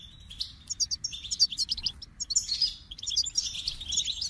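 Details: Spirited goldfinch twittering: rapid, high, jingling notes and buzzy trills in two lively outbursts separated by a brief pause.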